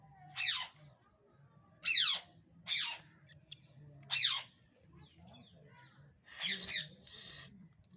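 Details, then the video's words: Angry parrots screeching: five or six harsh, descending squawks spaced about one to two seconds apart, with a couple of sharp clicks, over a low indoor hum. "cute angry parrots Talking गुस्सा वाला मिट्ठू"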